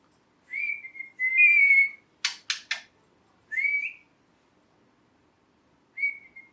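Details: A pet talking rose-ringed (ringneck) parakeet gives clear, slightly rising whistled chirps, broken mid-way by three quick harsh rasping notes, then more whistles in a quiet room.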